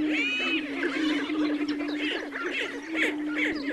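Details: Black grouse singing: a steady low droning tone runs beneath overlapping bubbling, gurgling phrases and higher hissing notes, suggesting several birds calling together without pause.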